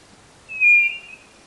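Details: A single clear, level whistle about half a second long from a white-bellied nothura of northeastern Brazil, a song used to attract birds into a box trap.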